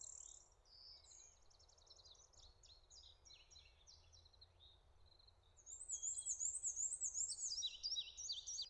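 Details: Male prairie warbler singing on territory in Connecticut in May while the female builds the nest: quick run of thin, buzzy, very high notes growing louder and more zigzagging toward the end, over faint rural hiss.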